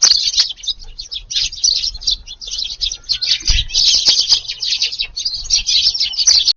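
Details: Eurasian tree sparrows crowding into a garden in Japan on a July evening to feed, after being kept off the food all day. Dense, overlapping high chirps come from many birds at once in a constant busy chatter, with soft wingbeat flutters beneath.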